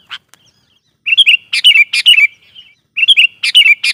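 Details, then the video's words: Lure song of a sooty-headed bulbul, used to excite and draw in wild birds: loud, liquid, bubbling phrases of several quick notes, given in two bursts with a short pause between, and a single sharp note at the start. "suara burung KUTILANG GACOR GARUDA bikin emosi kutilang liar"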